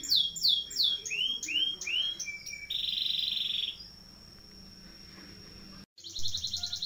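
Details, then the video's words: Canary singing a long rolling song used as a training recording: a run of rapid downward-sweeping whistles, then a dense buzzy roll held for about a second, followed by quiet before a brief high trill resumes. "SUARA KENARI NGEROLL DURASI PANJANG"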